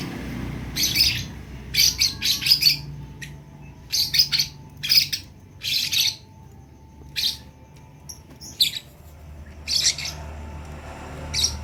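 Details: Lovebird chick practising its first sounds: harsh, high buzzy chirps in clusters of two to four, separated by short pauses, over a faint low room hum.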